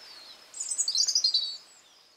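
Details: Garden robin in spring, one short burst of song: about a second of rapid, thin, high twittered notes rising and falling, with steady background hiss.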